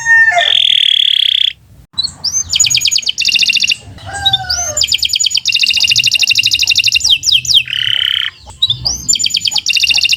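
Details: Canary in long, sustained song used as a master recording to train other birds: rapid high rattling trills, a steady whistled tone, and swooping slurred notes run together with brief breaks, over a low background hum.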